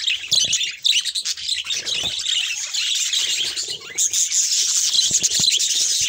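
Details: Steady chorus of budgerigars warbling and chirping, a thick high-pitched twittering that swells and dips, with occasional soft rustling and a few brief low thumps.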